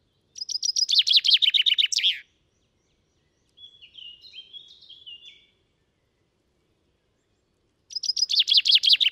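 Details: Two loud songs from a British common chaffinch, each a rapid, descending chain of sweet notes ending in an emphatic flourish, separated by a softer, thin warbling phrase in the gap; captured on a MixPre 6 II with Telinga Stereo Mk 3.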